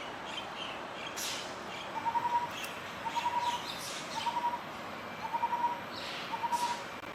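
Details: Lineated barbet song of fast, rolling hollow notes in brief bursts, recurring about once a second, slightly fainter amid a noisy background of hiss and several rustling or swishing sounds.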